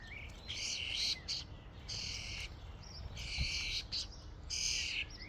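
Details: Common starling flock at a feeding station: four main gritty, harsh squawk bursts with short chirps between them, irregular timing, and a low rumble in the background.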